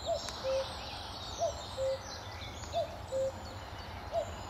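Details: A sunny May morning in 2014 at Amwell Nature Reserve, where a common cuckoo gives its clear two-note cu-coo four times, about every 1.4 seconds, a higher slurred note dropping to a lower steady one, over faint birdsong and outdoor hiss.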